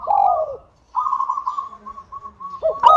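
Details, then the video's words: Zebra dove, local type, whose song serves to lure other doves into calling. A falling coo, a pause, a long string of soft rapid pulses, then a sudden loud note at the end. "PANCINGAN PERKUTUT LOKAL SUPER GACOR UNTUK PANCINGAN PERKUTUT AGAR CEPAT BUNYI"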